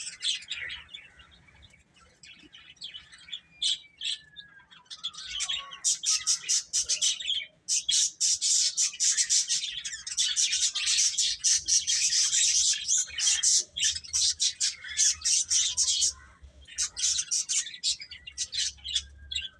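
A group of baby chicks peeping, with dense, high, rapid cheeps overlapping almost continuously.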